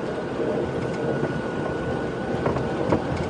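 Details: A steady vehicle engine rumbles throughout with a constant droning hum and occasional knocks and clicks, with no animal voices during an early morning safari drive.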